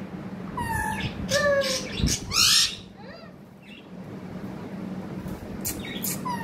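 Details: Pet parrot known for talking, here giving a string of harsh buzzy squawks and short descending notes, one loud raspy burst, then quieter chatter and a final rising note, with low hum throughout.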